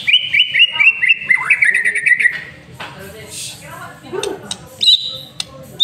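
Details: White-rumped shama master song for luring birds into song: a quick series of about eight repeated whistled notes, then descending slurred phrases, scattered clicks and two brief high whistles near the end.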